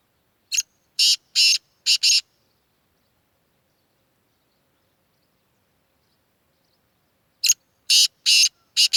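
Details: A full-size Sindhi black francolin: a harsh, grating phrase of five loud rasping notes, the middle ones longer, then a long silence before the same rasping phrase starts again.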